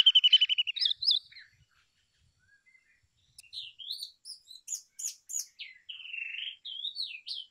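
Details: Brown rock chat singing a clear whistled phrase, falling silent for about two seconds, then resuming with a varied series of high twisting whistles and chirps.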